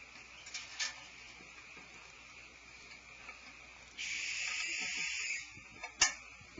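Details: At Starr Ranch on 18 February 2012, two adult barn owls scream near their nest cavity: a long, harsh, hissing scream over a second, with shorter rasping bursts before and after.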